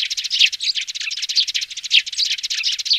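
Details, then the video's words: Sparrow nestlings calling, recorded for loudspeaker playback when trapping birds. Shrill, tightly packed chirps run together into a steady twittering mass, with brighter squeaky notes standing out about twice a second. "Tiếng Chim Sẻ Non ( Tiếng Xuống)"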